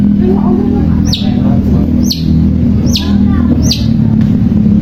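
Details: Long-tailed shrike song played as a lure to coax a reluctant shrike into singing: a sharp, high note sliding steeply downward, repeated roughly once a second, over a loud, steady low rumble.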